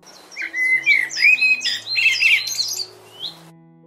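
A Common Blackbird sings a rich, varied warble of fluting phrases that break into thin, squeaky twitters, over soft background music.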